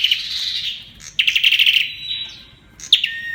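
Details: {'caption': "Olive-backed tailorbird firing off a fast metallic rattle in its 'Kalashnikov' song, followed by a thin level whistle, a pause, and a sharp note falling into a lower whistle."}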